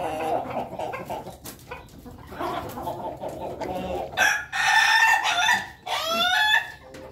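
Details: Flock of Ayam Ketawa chickens eating together in their coop; after low murmuring clucks, a rooster gives a long, loud crow broken into pulsing, stuttering segments, followed by a second shorter rising phrase.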